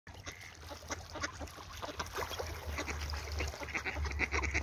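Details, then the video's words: Ducks in the morning, a busy flock giving short, rough quacks and chatter in rapid overlapping bursts, roughly three per second, over a constant low rumble. "Утки утром"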